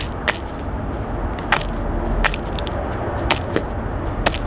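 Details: Low rumbling background with sharp knocking clicks at irregular intervals, about one each second.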